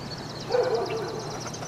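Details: Cedar Waxwings, feeding and resting, give a steady run of thin, very high lisping notes; a lower, brief warbling sound rises and fades midway.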